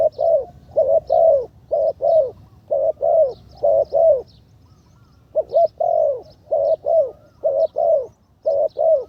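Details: Spotted dove trained as a ground decoy, third session, condition greatly improved; an unbroken series of deep, rounded coo pairs, evenly spaced, with a brief pause midway and soft high twitters behind.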